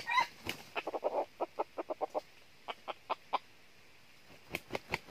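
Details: Decoy red junglefowl at a trap set for wild junglefowl in northern Vietnam gives irregular clucks and short clipped notes, some doubled, with a louder harsh burst at the start and a quiet gap before final notes.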